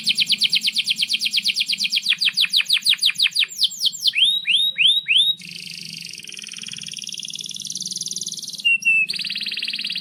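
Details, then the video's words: Canary in vigorous, long-rolling song, used as a tutor for young canaries learning to sing: rapid high trills, then a series of sharp descending whistles, rising slurred notes and a buzzy sustained roll, with brief chip notes. "Kenari GACOR PANJANG INI Cocok untuk Masteran KENARI PAUD dan Kenari Macet BUNYI"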